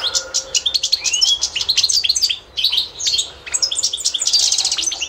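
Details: Pure Constantine European goldfinch song for teaching other birds: bursts of quick metallic chirps and rising slurred notes separated by short pauses, a steady low tone at the start, and a lively trill at the end.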